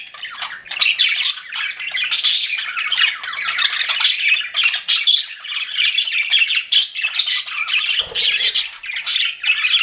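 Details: A group of pet budgerigars chirps and warbles continuously, scratchy and high, with rapid overlapping notes and one short low knock toward the end.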